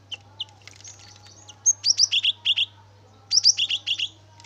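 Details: Energetic cinereous tit (gelatik batu) lure song: scattered soft chirps, then two quick series of high, clear double notes, each series about five phrases long, over a low steady hum.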